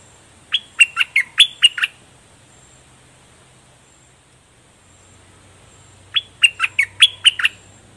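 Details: Bulbul (nok dok taeng), plumage complete, repeats the same seven-note phrase of bright falling chirps twice, about four seconds apart, in its all-double song style.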